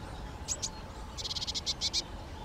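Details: European greenfinch (Chloris chloris): two quick chirps, then a fast run of about eight sharp, clipped notes delivered in steady rhythm, set against a soft hiss of background noise.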